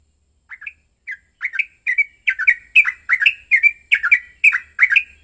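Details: Aggressive fighting song of a yellow-vented bulbul, meant as a lure to make other bulbuls sing. It opens with a few sparse gurgled notes, then builds into a steady run of rapid, liquid, chattering phrases.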